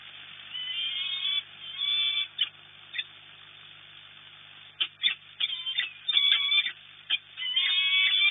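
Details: Peregrine falcons at their nest at the Orlen site in Płock, Poland, disturbed by noises and by neighbouring or intruding birds: harsh, harmonic calls in short bursts, with a dense run of repeated notes toward the end and quiet gaps between.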